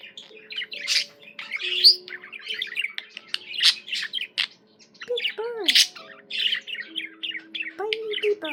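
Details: Budgerigar kept as a pet chattering continuously: scratchy, rapid warbles mixed with loud chips, plus a short rising-and-falling whistled note near the end, over faint steady low tones.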